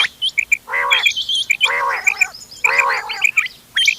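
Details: Mixed calls of several quail (bater), intended for hunting, dated 31 October 2025: short paired sharp notes repeat among longer harsh, croaking bursts, with thin hooked chirps from other birds overlapping throughout.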